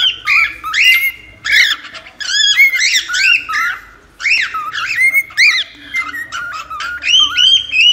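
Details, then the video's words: A cockatiel sings continuously in a recording meant for taming cockatiels, mixing sharp chirps, squawky notes and arched whistles in rapid, uneven bursts throughout. "AMANSAR CALOPSITA EM 10 MINUTOS!"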